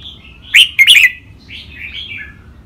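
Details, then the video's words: A red-whiskered bulbul's practice song in the lakwai and mae bot styles: a loud double burst of bright, quick whistles, then gentle, falling warbled notes. "นกกรงหัวจุก เสียงร้องเล่นริกเบิ้ล ลากหวาย แม่บท นับดอก ครบเครื่อง"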